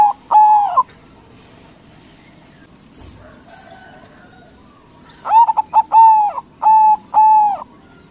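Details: White local zebra dove singing loudly, used as a lure to provoke rival doves into answering: a brief two-note coo, a pause, then a rhythmic burst of about eight clear, mellow, slightly bending coos in quick succession against a quiet background.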